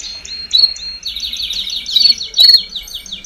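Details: Domestic canary song, a baderna played to prompt young canaries to sing sooner: brief whistles, then a dense run of rapid falling sweeps and bright chirps in a lively roll.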